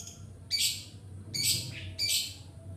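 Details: Long-tailed shrike used as a lure for training other birds: three harsh, broadband squawking calls spaced about a second apart, each short and raspy, with quiet low background hum between them.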